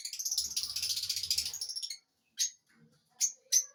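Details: Lovebirds chirping: a buzzy, rapid chattering run lasting about two seconds, followed by three separate sharp, high chirps spaced apart.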